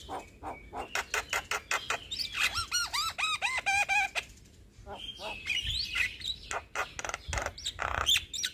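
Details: Young Javan myna in full song, used as a master and lure to train other myna birds: rapid series of harsh clicks and chatter, then a run of ringing arched whistled notes, ending in squeaky, grating phrases.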